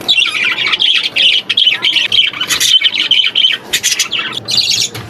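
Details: Budgerigar chicks, apparently in an aviary, giving continuous high chattering calls broken by harsh, raspy squawk bursts, with several calling over one another and no other clear sounds.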